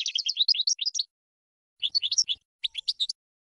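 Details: European goldfinch song for training birds, heard as three short twittering bursts of bright, high, jumbled chirps, the first longest, with silent gaps between them.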